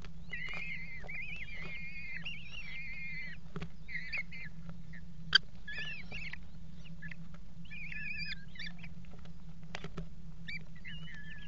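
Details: Eurasian kestrels mating on the edge of a nest box on the Axel water tower, February 2018: repeated wavering, whining calls in short phrases, with occasional knocks and a constant low hum.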